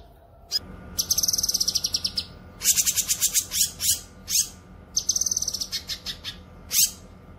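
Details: Cucak kinoy chattering for songbird training and luring; fast buzzy trills of rapid pulses, a rattling run of broad strokes, then another quick trill and a single harsh note.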